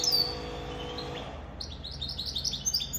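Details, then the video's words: Goldfinch mule, a goldfinch × canary hybrid, first gives a few drawn-out thin high notes, then breaks into rapid twittering chirps, high and bright, with a faint low hum behind. "Goldfinch mule sirwitty bird"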